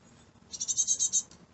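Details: Fledgling great tit chicks in a garden, one giving a short burst of about six rapid, harsh, high-pitched notes after a brief faint note, with soft background hum.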